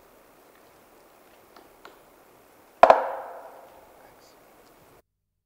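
A Magellanic woodpecker strikes wood twice in quick succession, a loud ringing double knock, after two faint taps. The forest is otherwise quiet.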